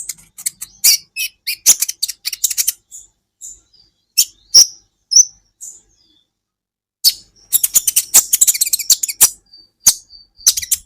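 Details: Songbird training recording of an olive-backed sunbird giving bursts of rapid, high, sizzling chips. Scattered single notes and thin whistles fill the middle, and the song ends in a long continuous twittering stretch.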